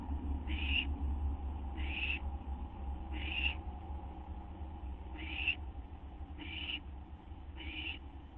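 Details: An owl's repeated harsh hissing screeches while it awaits a gopher or vole treat, shortly after midnight on 8 September 2011; six short noisy bursts roughly every 1.3 seconds over low steady hum.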